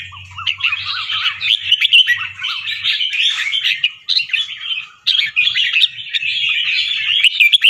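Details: A fancy leucistic white, red-eyed, competition-line Red-whiskered bulbul from Chonburi, Thailand, in rapid, bubbly training song of doubled, warbled notes, with other songbirds chattering constantly alongside and a low hum in the opening seconds.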